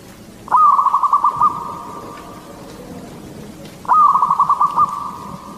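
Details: Local zebra dove of the Katuranggan Cendolo Sabdo type sings to lure other zebra doves, delivering two matching bursts of about eight rapid, evenly pitched coo beats each, spaced roughly three seconds apart.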